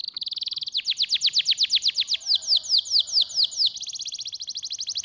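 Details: Canary song played to stimulate lazy canaries to sing: a fast even trill of high notes shifting into a slower run of sharp down-slurred chips about four per second, then back to a rapid trill.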